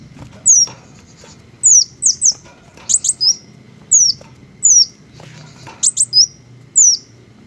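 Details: High piercing chirps from green hummingbirds, each dropping in pitch, uttered alone or in fast pairs and triplets at uneven intervals against soft low background noise.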